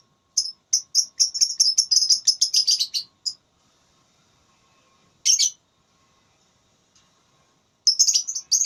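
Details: Lovebird in a singing contest, gacor ngekek style: a fast, rattling run of piercing chirps lasting about three seconds, silence, then a single harsh burst and another rapid chattering outburst.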